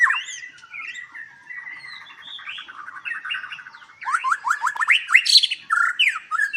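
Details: Captive white-rumped shama at a breeding farm in Palembang, Indonesia, singing a varied warbling phrase of twittering notes, then louder rapid upward-slurred whistles and a burst of high chips, with other birds faintly in the background.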